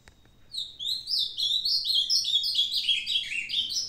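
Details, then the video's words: An aging pet Ultramarine grosbeak recorded on 22 May 2022 delivers a rapid, rich warbling phrase of tumbling slurred whistles lasting over three seconds, with a quiet background. "Azulão Pedra Bruta - meu "veinho" ainda mandando bem"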